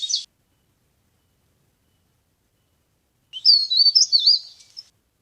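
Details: Leaf warbler, a recording used as a trapping lure: a brief high note at the start, then about 1.5 seconds of rapid, thin, wavering twittering notes sliding up and down; no other sounds.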